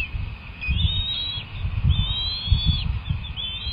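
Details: At a bald eagle nest while two eaglets are fed, March 18, one chick hatched January 31, 2024: drawn-out high whistles, one held steady for nearly a second, against low thumping and rustling noise.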